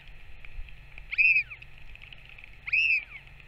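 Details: Northern royal albatross parent back at the nest feeding its chick on 21 May 2024; two arched, slightly rising-then-falling whistled calls about one and a half seconds apart over steady low background noise.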